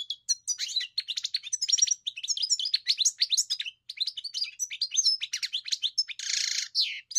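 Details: A European goldfinch sings a long, varied, high-pitched twittering phrase of quick chirps and trills, with a harsh buzzy segment near the end.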